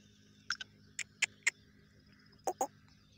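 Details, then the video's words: A black francolin calls in the morning in a village, giving a harsh, grating phrase of short clipped notes, paired then spaced, over a low steady hum and faint thin whistles. "Black francolin calling"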